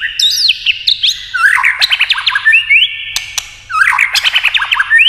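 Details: Varied competition song of a white-rumped shama, with descending whistles, rapid stuttering trills, a long flat whistle and crisp clicks between bursts.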